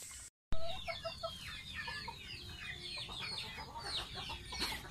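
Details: Baby domestic goose kept as a pet, bathing: dense bursts of high, squeaky peeps tumbling over one another, sliding up and down, with a brief dropout near the start and a low background rumble.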